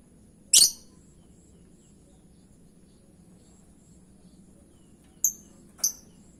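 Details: Lovebird lure sound for provoking a response: one sharp, high chirp early on, then a long quiet stretch before two short, thin squeaks close together near the end.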